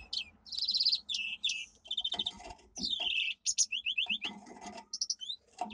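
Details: Domestic canary singing a powerful training song: high rolling trills and rapid repeated chirps at varied pitches, broken by short pauses, with faint low background noise beneath.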